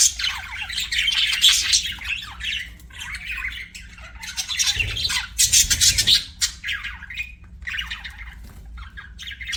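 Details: Pet budgies keep up a busy warbling chatter of fast, scratchy, high-pitched notes and squawks, rising and falling in bursts over nearly ten seconds, with a couple of low bumps midway.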